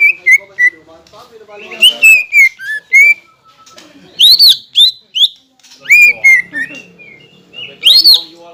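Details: Singing green leafbird used as a lure to provoke rivals, its song said to carry kingfisher, magpie-robin and shama imitations; clear slurred whistles, some falling and some sharply rising, given in short irregular groups with pauses.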